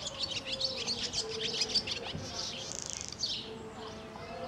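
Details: Swallow twittering with rapid, irregular high chirps, a short buzzy rattle near the middle and more scattered notes after it, against a faint steady hum.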